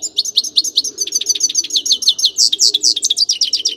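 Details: Grey-crowned goldfinch in full song, an unbroken rapid chatter of bright, high, metallic twitters and squeaky notes, some phrases rising in pitch, steady for nearly four seconds.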